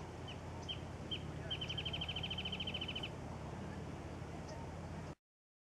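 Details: Red-naped Sapsucker chiselling eucalyptus bark for food, O'Neill Regional Park, Trabuco Canyon, California, 10 Nov 2013: a few sharp, high ticks then a quick even run of about twenty taps, over steady low traffic rumble.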